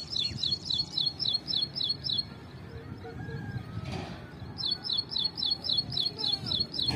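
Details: Ashy prinia, also called wren warbler, singing from a tree: two runs of rapid, regular high chirps about four per second, split by a quiet gap with a brief soft noise in the middle.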